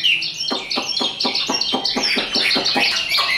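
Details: Chinese hwamei, a tame caged bird, gives a high vigorous song: rapid staccato notes roughly four per second beneath bright overlapping whistles.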